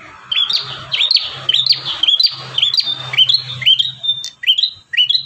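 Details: Bar-winged prinia in vigorous song, one of five song variations used as a master recording for training caged birds: about ten sharp, bright chirps rising then dipping, delivered in a quick steady series, with a faint low hum underneath.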